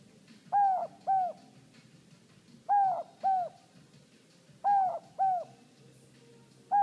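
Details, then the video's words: A male pet Inca dove indoors, which has never met another of its species, gives its two-note "no hope" call: paired soft, hollow coos repeated roughly every two seconds over faint room hum. "the Inca dove makes his "no hope" call"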